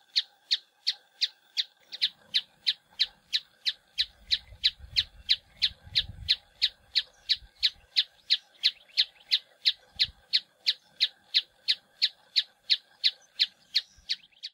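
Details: Rock tapaculo (Scytalopus petrophilus) recorded in Santa Bárbara, Minas Gerais, Brazil, giving a long, steady run of sharp, high notes, about three per second, with a brief low rumble under the middle.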